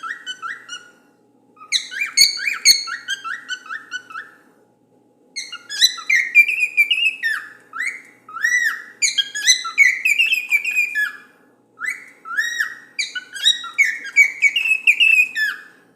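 A cockatiel sings in bursts of bright, rapid whistled notes, warbling up and down with short pauses.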